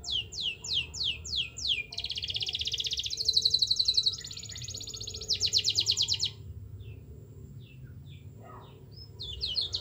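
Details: Canary long-rolling song, used to coax other canaries into singing: quick high falling whistles, then dense fast trills rising and fading, followed by quieter scattered chirps over soft background hiss.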